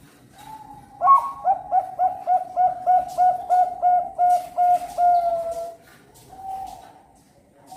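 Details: Bangkok zebra dove, captive national champion contest bird bred in Cirebon, Indonesia, hatched 25 December 2021, delivers a steady string of about a dozen bright, bubbling coo notes in quick succession, then a drawn-out softer coo.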